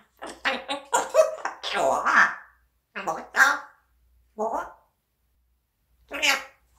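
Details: Talking pet parrot producing speech-like syllables in quick, uneven runs, with several word-like bursts, pauses, and a final short raspy call, in a small indoor room.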